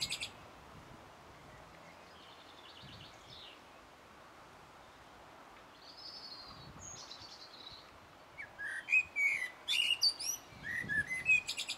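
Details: Blackbird song recorded 1 June 2016 on a Sony HDR-PJ10E camcorder: faint distant whistled phrases at first, then loud close fluty notes broken by sharp high twitters in the last few seconds, over a constant hiss.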